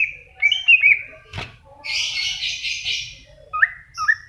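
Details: Greater green leafbird in a masteran recording: clear whistled notes near the start, a sharp click, then a dense buzzy chattering burst, ending with brief rising whistles.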